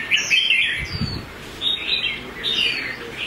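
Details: Red-whiskered bulbul in competition-style fighting song, kept for song training: bright chirpy phrases warbling and slurring between mid and high pitch, short bursts separated by brief pauses, faint low thumps in the background.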